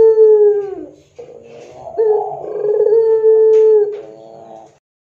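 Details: Pelung-style Barbary dove used as a training lure: a falling coo, then a rolling burst and a long, even, sustained coo that trails into softer trilled notes.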